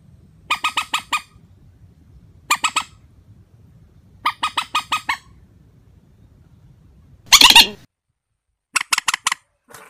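A warbler gives quick bursts of four to six loud, ringing notes, repeated about every two seconds, with one harsh rasping burst near the end.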